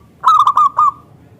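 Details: Single phrase from a local zebra dove, its voice described as thick and crystal, played to make other zebra doves reply: four rapid throaty coos running together into a brief trailing note.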